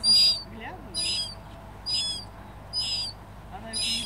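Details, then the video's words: A juvenile mew gull at Flåm, Norway, on 20 September 2015 gives thin, high, squealing whistles, five in four seconds at a steady pace, over a faint low background rumble. "海鷗(Mew Gull)亞成鳥叫聲"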